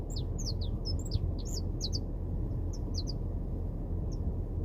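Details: Saffron finch in the wild: short, high, downslurred chirps, scattered singly and in pairs across four seconds, over a steady low rumble.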